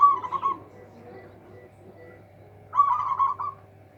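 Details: Local zebra dove, noted for a powerful voice that outdoes rivals, gives two fast pulsed cooing phrases separated by a pause of over two seconds, with faint softer notes and a low hum in between.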